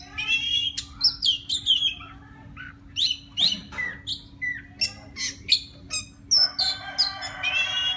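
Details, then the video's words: Singing wild white-rumped shama calling a female: rapid varied phrases of bright whistles and chirps, some notes dropping in pitch, repeated in close bursts over a steady low hum. "Tiếng choè than rừng hót gọi mái"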